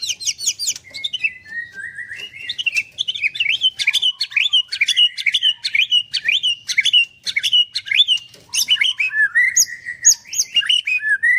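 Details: Caged white-rumped shama (murai batu) at a bird farm in Kendal, singing in the nembak style: a dense, unbroken run of loud, high whistled notes, sharp rising and falling sweeps and quick trills, with no other sounds.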